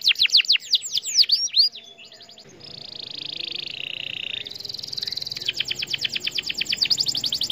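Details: Canary song meant to provoke other canaries: several looping whistled notes, a short gap, a long low buzzing roll, then an accelerating series of high chirped notes.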